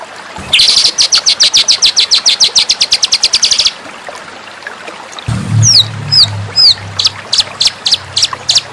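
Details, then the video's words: White-rumped shama master recording for training: a steady run of rapid high clipped notes for about three seconds, then after a pause clear whistled upward and downward slurs over a low hum. "masteran murai batu bikin murai anda istimewa dan jadi raja disetiap gantangan"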